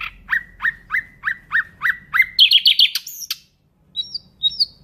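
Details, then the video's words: Nightingale repeating a sharp downslurred note about eight times, then a quick buzzy trill, a high thin whistle, a brief silence and two high slurred notes. "Nightingale bird singing Beautiful"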